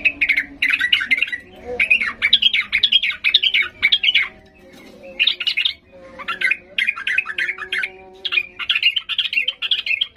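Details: Agitated sooty-headed bulbul belting out song to make silent birds answer; long dense bursts of rapid chattering, scratchy notes in several runs with short gaps, faint hum underneath.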